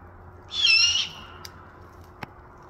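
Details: Great horned owl in Western Washington gives a single harsh, hissing screech lasting about half a second, high and raspy, followed by quiet with a couple of faint clicks.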